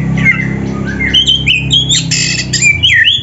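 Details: Varied whistling from an oriental magpie-robin, with short slurred phrases, quick downswept notes and sharp high accents over a constant low droning background.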